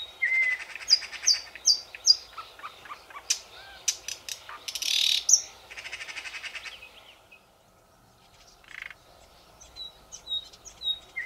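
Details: Thrush nightingale recorded in Belarusian Lakeland (Poozerye), 2020, singing a loud, varied phrase of sharp whistles, clicks and rattling notes, then pausing before softer, higher whistled notes resume.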